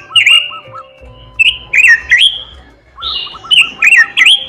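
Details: Oriental magpie-robin song in short bursts of bright, slurred whistles mixed with sharp high ticks, separated by brief pauses, over a quiet low rolling background phrase.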